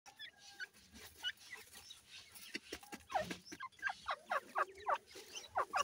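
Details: Grey partridge (teetar) chicks at play: sparse soft peeps at first, then a run of clear, sharply descending chirps in quick succession over the last two seconds.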